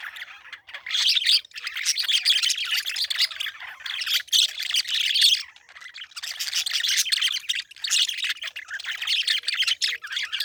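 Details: Long unbroken stretch of parakeet chatter, dense high squeaky chirps and squawks rising and falling in loudness with a short lull midway.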